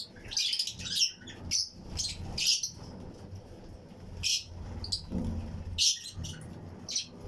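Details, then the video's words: Fischer's and lutino lovebirds, pairs kept in a flight colony aviary, chirping along with other birds around them; harsh, buzzy high chirps in short bursts, several birds overlapping, with low background rumble. "Fischers & Lutino Colony Chirping Sounds | Lovebird Aviary"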